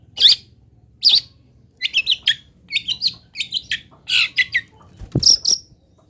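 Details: Local Indonesian long-tailed shrike fill-song training material: varied bursts of harsh chattering and scratchy twittered phrases, irregularly spaced, ending with a sharp high note.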